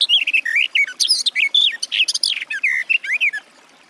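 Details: Garden warbler (Sylvia borin) singing a fast, continuous, bubbling warble of varied rising and falling notes that ends abruptly in quiet.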